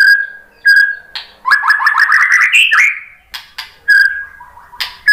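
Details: White-rumped shama, called murai batu, responding to a lure recording: clear steady whistles, a fast rising series of warbled notes climbing in pitch, then sharp clicks and further pure whistles.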